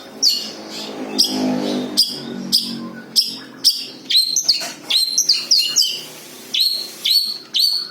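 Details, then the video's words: Long-tailed shrike singing its natural song without mimicked phrases, used as a lure for other birds: sharp whistled notes sweeping down, repeated in short bursts about once a second, with faint low hum behind. "SUARA ASLI BURUNG CENDET TANPA ISIAN COCOK UNTUK PANCINGAN"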